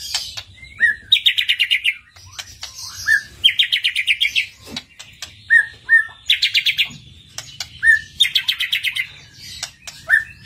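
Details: White-rumped shama song used as a lure to make another shama sing loudly and show its full repertoire: rapid buzzy trill bursts alternating with short slurred whistles, phrases returning roughly every two seconds, with sharp clicking ticks between.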